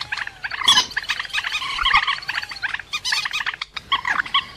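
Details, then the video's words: Rail calling, recorded for use as a trapping lure: dense, rasping chatter of rapid harmonic notes, several overlapping voices, with a short gap near the end before the chattering resumes. "Tiếng cuốc biển chuẩn"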